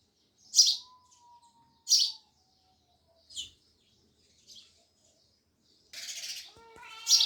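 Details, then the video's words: Loud sparrow chirping, sharp chirps at irregular gaps, a soft steady whistle early on, and a burst of mixed twittering and other birdsong near the end. "Sparrows Loud Chirping Sounds"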